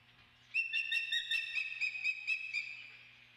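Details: Osprey at the Dunrovin Ranch nest on 28 May giving a loud burst of quick, ringing whistled chirps strung along one high tone, fading away over three seconds, with a faint low hum behind.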